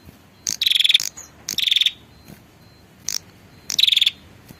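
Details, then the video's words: Female prinia call used to lure the male: rattling buzzy trills repeated about every second, each opened by a sharp high tick, background quiet. "suara pikat burung prenjak betina memanggil jantan"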